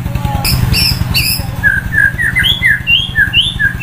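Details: Roadside sunbathing White-rumped shama, a loud singer with varied phrases, delivering a fast run of short whistled notes that rise and fall, over a constant low throbbing background rumble.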